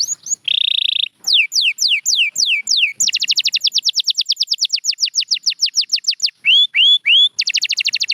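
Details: A short buzzy roll from a champion canary, then a series of sharp descending whistles, a long rapid trill of clipped notes, rising slurred whistles, and another fast high trill.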